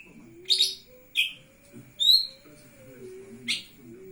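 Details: A lesser green leafbird in full song with its wings opened, giving a few loud, clear notes: a rough buzzy burst, then a rising whistled slur, spaced about a second apart over a soft low drone.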